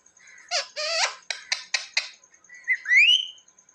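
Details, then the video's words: Pet parrot mimicking words indoors: a run of short clipped syllables, then a rising whistled sweep, with a steady faint high tone in the background. "Parrot talking mummy mithu ko roti do"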